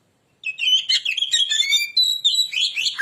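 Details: Oriental magpie-robin giving a persistent lure song meant to provoke other birds: a dense run of rich whistles, trills and chattering notes, sliding up and down and packed closely without pause.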